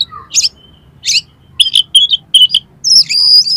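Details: Oriental magpie-robin delivering rough, varied song to excite another bird: two rasping bursts, a thin whistle, then quick sharp notes and a long high whistled phrase at the end.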